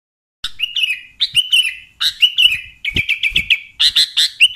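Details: Sooty-headed bulbul call used as a lure for catching bulbuls: short bright chirps in quick groups, each falling into a warbled trill, with bursts of several rapid notes and brief gaps between phrases.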